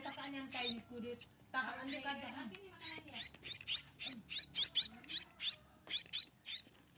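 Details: Young Javan mynas raised by hand call during feeding: short harsh hissing squawks in uneven bursts, mixed with a person talking softly in the room.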